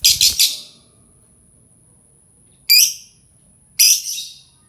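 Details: Lovebird voice used to get other birds singing along: a quick triple burst of harsh screechy chirps, then two single rasping calls after a pause.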